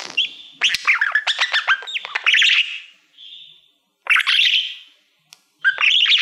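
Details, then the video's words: Caged pet budgerigar singing to its reflection in a mirror-like plaque: bursts of quick chirps and rising whistled notes with squeaky chatter, separated by short silences and one soft sustained whistle. "Budgie singing to Youtube Playbutton"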